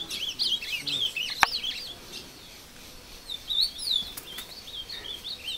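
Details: A captive ultramarine grosbeak, taken into the woods, sings and fights with a wild one: rapid, warbled phrases of sweet rising and falling whistles in bursts, the birds answering each other, with a sharp click and faint background noise.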